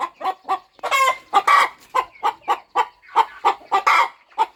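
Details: A farm mother hen brooding her nest before her eggs hatch gives clipped clucks at a steady pace, with two longer, harsher squawking notes near the start and end.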